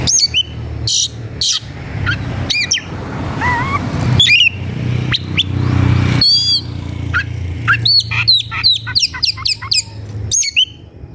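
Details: White-rumped shama in a combative mood, searching for an opponent. Varied song of loud whistles, harsh bursts, rising and falling slurs and quick rattling phrases over constant low background noise.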